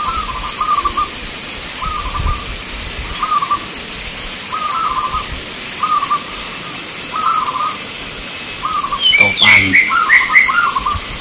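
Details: Contest zebra doves in Grabag, Magelang, Indonesia give short rolling coo phrases again and again at an even pitch, while a higher chirping bird breaks in near the end.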